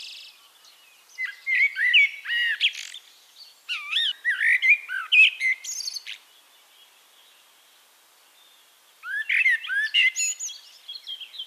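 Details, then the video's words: Eurasian blackbird from Castricum, Netherlands, pouring out a long phrase of rich looping whistles and twittery notes, then a silence of about three seconds before a fresh burst of warbled song. "One Hour Relaxing Birdsong: Blackbird"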